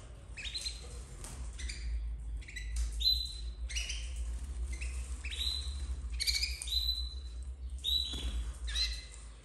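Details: Captive red frosted domestic canary chicks, 2024, calling with repeated thin, buzzy, high squeaks in quick irregular series, accompanied by a constant low electrical hum.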